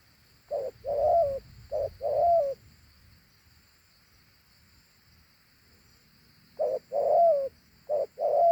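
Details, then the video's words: Large, handsome dove giving a two-note coo: a short low note, then a longer, strong, slightly falling note. Two pairs are heard, separated by several seconds of quiet. "Thổ Hú âm gù hay.gù 2 âm gù quá tốt"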